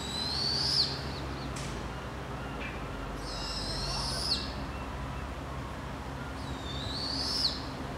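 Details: Barred Owls, a family in British Columbia, Canada, uttering three raspy, hissing screeches that end in abrupt falling flicks, roughly three seconds apart, with low background rumble.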